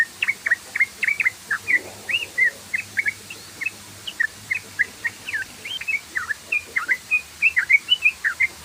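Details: Continuous chattering song of a yellow-vented bulbul, the fast 'ropel' style used as a lure, with crisp, twisting chirp notes tumbling along in a quick, slightly uneven rhythm.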